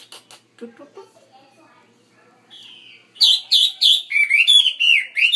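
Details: Chinese hwamei in a roomier cage: quiet scattered notes, then a sudden series of strong whistled phrases, first repeated downslurred notes, then a rapid warbling cascade lasting two seconds.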